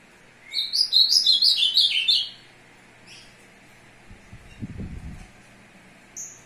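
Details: Courting ultramarine grosbeak, 2 June 2022, singing to a female: a brisk warbling phrase of descending slurred whistles about one and a half seconds long, followed by low bumping noises and a brief high chirp.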